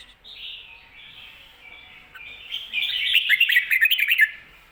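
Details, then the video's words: Red-whiskered bulbul 'kho-ta-ra' song with doubled ending, recorded for teaching caged birds: gentle slurred whistles at first, then a louder run of rapid bright notes pulsing several times a second. "โค-ตะ-ระ เบิ้ล เบิ้ลจริงเบิ้ลชัด(ไว้สอนนก)"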